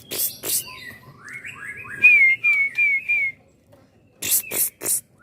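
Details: Young white-rumped shama being groomed for the iron-pole competition class gives a series of rising then downslurred whistled notes, four strong ones in quick succession, framed by loud noisy bursts before and after.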